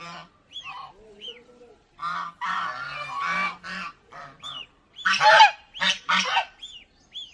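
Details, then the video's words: Several domestic geese kept at an aquarium park in Mysore, India, calling together: harsh blaring honks in clusters, loudest near the end, mixed with short rising squeaky notes from smaller birds in the background. "Call of geese"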